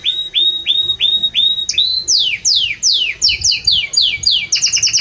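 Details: Loud, warm song of a Belgian canary: five rising whistled notes in a row, then a run of rapid downward-slurred sweeps that ends in quick high chips.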